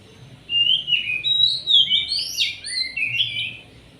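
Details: Oriental magpie-robin in full song, used as a lure to stir other birds: a continuous run of loud whistled phrases, swooping up and down, with sharp slurred notes for about three seconds.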